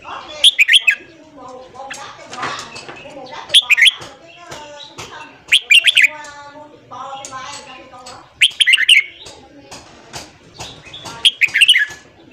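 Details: Red-whiskered bulbul morning song for firing up wild-caught bulbuls: bubbly whistled phrases recurring about every two and a half seconds, with softer, lower chattering notes filling the gaps.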